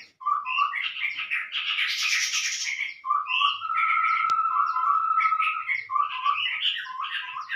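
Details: Lure call of the chestnut-rumped babbler, used to attract birds: a continuous, busy stream of chattering, whistled and buzzy notes. A long, steady whistled tone runs through the middle, and a single sharp click sounds near the four-second mark.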